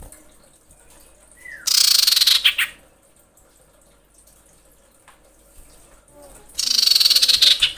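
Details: Female common iora in breeding condition calling to the male: a short falling whistle, then a loud high chattering burst ending in quick ticks, and after a pause a second rapid ticking burst.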